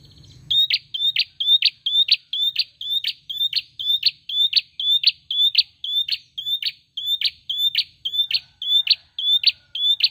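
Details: Tailorbird calling nonstop: a high thin whistle followed by a sharp clipped note, with the two-part unit repeated about twice a second in a long steady series against quiet background.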